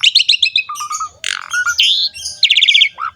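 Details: Asian pied starling song used to train young birds to sing: quick chirping notes, short flat whistles, a harsh burst, a rising whistle and a rapid ticking series.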